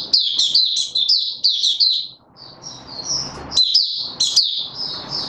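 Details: Male white-eye, opening song on 31 December 2021 during form training: fast high chattering notes with piercing upslurs, continuing in near-unbroken streams with thinner whistled notes midway, over moderate low background noise.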